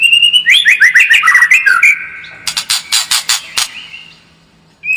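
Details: White-rumped shama lure song used to make a kept bird more combative: clear whistled notes slurring up and down in a quick run, then a series of harsh, scratchy bursts.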